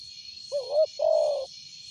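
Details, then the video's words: Single phrase of a big-voiced spotted dove used as a lure: a short rising-falling coo, a pause, then a longer even mellow note, over a steady high-pitched insect drone. "Tekukur suara besar cocok buat pancingan"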